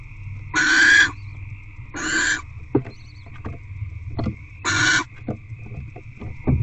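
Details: Nighttime begging from barn owl hatchlings in a nest box while the mother feeds them: three loud, breathy, rasping hisses spaced a second or two apart, separated by soft clicks and shuffling.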